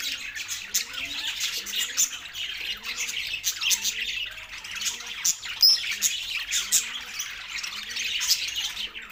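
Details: Constant busy chatter from two male pet budgies: rapid high squeaks, scratchy rasps and short whistles blending into one stream, soft low tones beneath.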